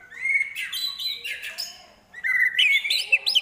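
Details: Shama song filled with copied prinia, kapas tembak and eagle calls: a warbled, rising whistled phrase, a brief pause, then a faster jumble of sharp chirps and slurred notes.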